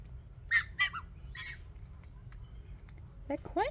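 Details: A family group of four red-eyed White-winged Choughs that came to a house door gives short, scratchy mid-pitched calls in a quick loose run, then a pair of rising piping notes, with a man talking nearby and a kookaburra flying by.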